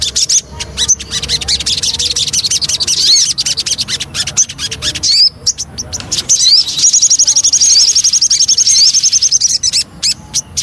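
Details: Javan cochoa singing a lure song: hurried high chattering broken by a few pauses, then a long, even run of rapid, thin repeated notes near the end, with sharp clicks mixed in.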